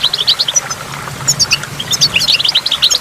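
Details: By a waterfall with water drops, a goldfinch gives bursts of sharp high twitters, a brief lull, then a denser run of liquid chirps, with a low hum in the background.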